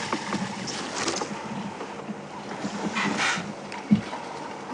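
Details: Afternoon safari drive at Djuma Game Reserve on 31 March 2016: engine rumble, wind gusts and a sharp knock, with no animal sounds.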